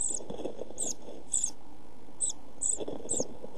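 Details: Nest-box brood of European pied flycatchers, hungry and hot during a food shortage; about six sharp, very high cheeps in quick clusters above a dull background of scratching and movement.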